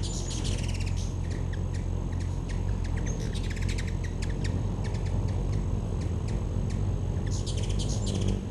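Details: Backyard feeder hummingbirds, 2013, giving rapid runs of high, dry ticking chips and stuttering chatter bursts, busiest at the start and end, with a constant low hum behind.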